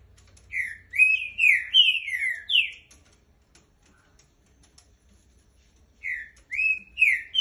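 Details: Trinca-ferro song: a burst of five rich whistled slurs, a pause of about three seconds, then three more whistles starting the phrase again.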